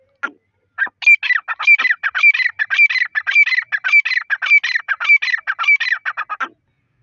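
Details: Partridge (teetar) calling in a loud, harsh series of quick repeated notes, nearly two per second, each with a sharp ringing peak, kept up steadily for about five seconds; no other sounds.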